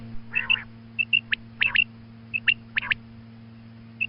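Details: A female quail calls in the morning for hunting use: thin high clipped notes singly and in pairs, with a few harsher downslurred calls, against a steady low hum.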